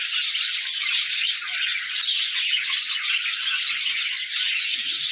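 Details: Playful budgerigars in a group keep up a constant high-pitched babble, rapid chirps and grating warbles layered thickly over one another for the whole stretch.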